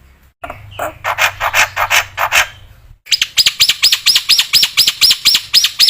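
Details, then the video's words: Black-winged myna singing energetically as training material for other mynas: a burst of coarse, scratchy notes followed by a fast run of high, arching chirps repeated about twice per second. "MASTERAN BURUNG JALAK PUTIH GACOR"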